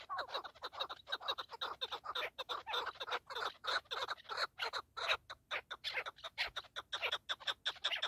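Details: Partridge giving a fast, unbroken series of harsh, scratchy chattering notes, several per second, sustained through the whole stretch with no other clear sounds.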